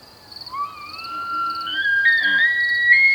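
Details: Common loon (Gavia immer) wailing up north: a long, mournful pure tone sliding slowly upward, then stepping abruptly higher twice, held steady against a quiet background.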